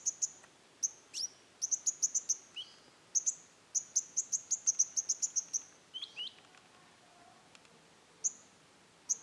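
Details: Konin, the rufous-tailed shama, delivering roll tembak song: long fast rattling series of piercing high notes, broken by a few slurred lower whistles, then isolated high notes after a pause.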